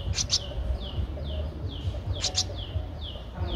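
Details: Nestling Streak-eared Bulbul, 13 days old, Ubon Ratchathani, Thailand, 15 April 2023, repeating short downslurred peeps about three per second, with a couple of sharp clicks and a low hum.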